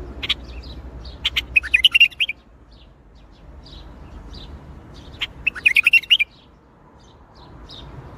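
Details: Bulbul giving a Baghdadi-style song (tor Baghdadi): two bursts of liquid, warbling whistled notes, each about a second long and roughly four seconds apart, with soft chirps scattered between.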